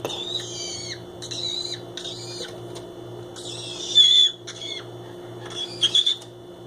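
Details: Male green-cheeked conure kept as a pet, exploring boxes inside the house: a run of short, buzzy, harmonic squawks in uneven bursts, several louder strident notes near the end, over a low steady household hum.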